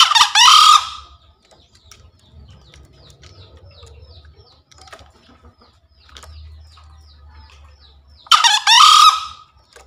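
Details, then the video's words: Kept green junglefowl, its daily master sound meant to spur newly caught or silent birds, crowing twice: loud, hoarse, clipped bursts about eight seconds apart, with soft chirping of small birds and low rumble between them. "Suara Masteran HARIAN Kelangenan Ayam Hutan Hijau Istimewa"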